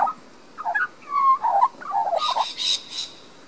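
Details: Garden in Queensland, Australia: a young resident Australian magpie gives fluting, slurred warbles, a clear drawn-out note near the middle, then a burst of hissy, breathy sound overlaid; recorded with a Panasonic Lumix DMC LX7.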